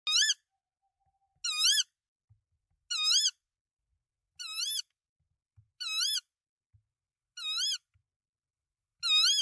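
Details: Tawny owl at its nest in Denmark, 24 March 2024, nest camera, male bringing rodents to the female with three eggs: seven harmonic, wavering, slightly rising calls, each about a third of a second, repeated roughly every 1.5 seconds in near silence.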